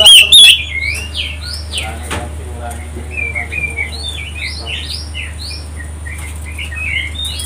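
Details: Oriental magpie-robin song used to provoke other birds into singing: a fast, varied stream of slurred whistled phrases, rising and falling, roughly three or four notes a second, over a constant low electrical hum with a brief loud sound at the start.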